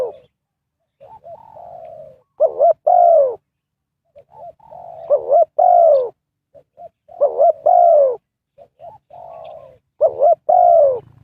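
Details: Spotted dove used as a decoy in bird trapping. It repeats its coo phrase four times: short soft notes, a wobbling double note, then a loud falling coo trailing into a low steady coo.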